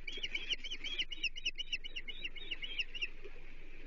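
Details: Osprey at a Chesapeake nest on 30 June 2023, as the third menhaden fish of the day arrives for the chicks: a fast, steady run of sharp, high whistled chirps, about four per second, over a soft, low background rumble.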